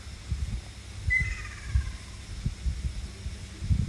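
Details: A Ruddy kingfisher from Amami gives one clear call about a second in, falling in pitch and fading into an echoing trail. Low gusty rumbles run beneath it.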